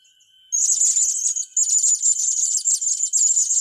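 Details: Young blue-crowned hanging parrots in training: after a near-silent start, a dense, unbroken stream of high-pitched buzzy chattering begins, pausing briefly once before continuing just as intensely, with a faint steady background whine.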